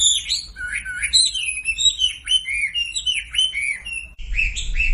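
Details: Sumatran leafbird lure song, used to coax silent birds into singing: lively, varied whistles and chirps tumbling over one another, with thin high squeaks on top and a short break near the end.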